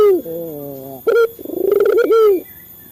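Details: Male local Barbary dove, lure for training captive doves: a falling low quavering note, a brief bright note, then a fast pulsing coo swelling into a held tone that drops away.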